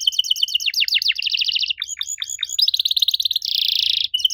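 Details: Strange-sounding canary song meant to prompt young canaries to answer: fast downslurred chirp trills, deep swooping notes, an even rapid trill and a loud harsh buzzy stretch near the end.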